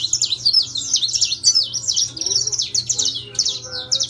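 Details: Saffron finch of intense yellow colouring singing continuously: rapid high twittering with down-slurred and up-swept notes strung together for about four seconds over a faint electrical hum.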